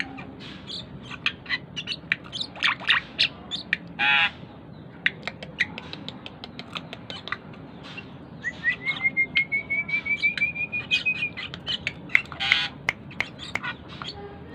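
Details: Continuous song of a tame Asian pied starling: scattered clicks and chirps, harsh squawky bursts, and a long thin whistle rising gently in pitch, followed by rapid chattering notes.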